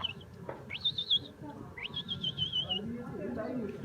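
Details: Pet parrot gives two clear warbling whistles while its owner talks with it, each about a second long, rising then wavering at high pitch, with low murmuring voices and room noise beneath.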